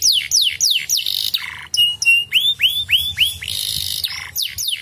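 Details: Canary song used to stimulate other canaries to sing: a run of steeply falling whistled notes, a short buzzy section, then a series of curved rising-falling whistles repeated about five times, loud and close.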